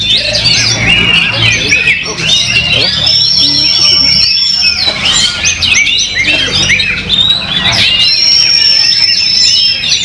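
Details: Back singing for the first time after moulting, a contest Oriental magpie-robin delivers a continuous medley of fast chirps, slurred notes and scratchy trills. Two long, level high whistles stand out, with low background murmur.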